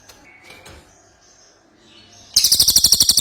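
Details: Faint thin whistles and chirps give way to an energetic ashy tailorbird's loud, fast series of sharp, high repeated notes.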